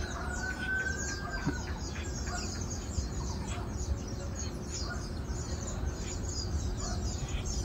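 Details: Asian glossy starlings (galansiyang) recorded 4 August 2022, giving many overlapping high metallic chirps and short squeaks, with one clear level whistle near the start, all over constant low-pitched background rumble.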